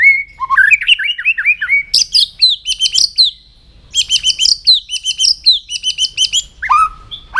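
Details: A white-rumped shama trains its voice with a morning song: rising whistled phrases, then loud rapid volleys of ringing high notes, a brief pause, more chattering bursts, and closing low whistles.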